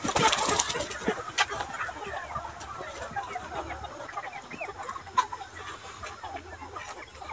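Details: Free-range Ga Noi, bantam and crossbred chickens in a large yard in daytime, feeding and foraging; a busy chorus of quick clucks, a few rising squawks and soft chatter against a steady low hum.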